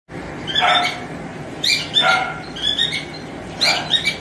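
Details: Male cockatiel singing to call a female: bright whistled phrases with harmonics, rising and falling notes in bursts about once a second, some harsher broadband chirps, over steady background hiss.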